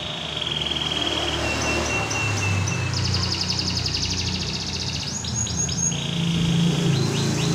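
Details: Canary in competition training delivering a varied song: a steady high whistle, then rapid buzzy trills, then rising swooping notes repeated in quick groups, with a low hum throughout.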